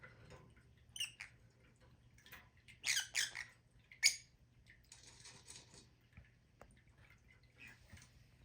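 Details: Lovebirds giving shrill, squeaky chirps and short squawks, clustered in a busy burst near the middle and then trailing off into scattered single squeaks, over a steady low hum.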